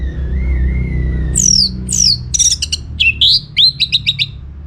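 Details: Orange-headed thrush in full song, used to draw answers from other birds: a thin level whistle, then loud descending slurs and rapid clipped high notes repeated in a quick series, over a low hum.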